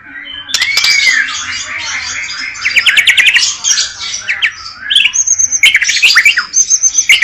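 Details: White-rumped shama in full varied song: dense scratchy chatter, a smooth rising-falling whistle, rapid buzzy trills and clicks, then high steady whistled notes and sharp repeated chips near the end.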